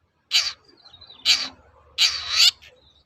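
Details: Lure song of a long-tailed shrike, meant to make sluggish birds sing and respond: three rough, grating bursts, the last one long and swelling, with soft low background rumble.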